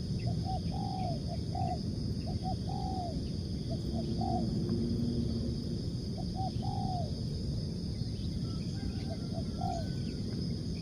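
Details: Tekukur, the spotted dove, in a lure recording: several faint cooing phrases of short bent notes and arched longer coos spread over ten seconds, with strong low rumble and steady hiss throughout.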